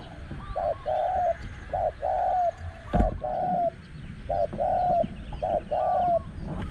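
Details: Cooing from a spotted dove at spot 14 during a luring session with a caged decoy bird; regular phrases of a brief clipped note followed by a longer level coo, repeated about once a second, with faint background rumble.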